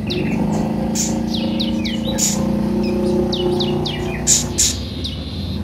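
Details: Purple-throated sunbird played to coax caged birds into song; lively sequence of high, swooping down-slurred chirps and sharp ticks, over a low droning hum.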